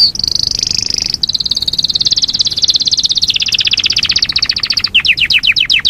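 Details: Yorkshire canary singing a long rolling song (ngerol panjang): a sustained, dense high trill that holds steady, slides slightly lower, then breaks into a run of quick descending notes.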